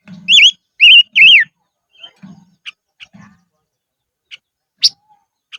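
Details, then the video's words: Silver-eared mesia kept as a decoy, singing in the highlands: a burst of three rich, wavering whistles, then scattered short high chips, with low muffled thumps underneath. "Chim Ngũ Sắc Mồi Hót Trên Vùng Cao Toj Siab Suab Noog Tsheeb Quaj"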